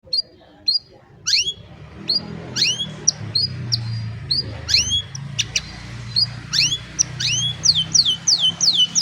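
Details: An old canary sings on a sunny morning, recorded by cellphone: scattered high whistled notes and sharp downward slurs, sparse at first, then quicker rising-falling phrases, over a low background hum.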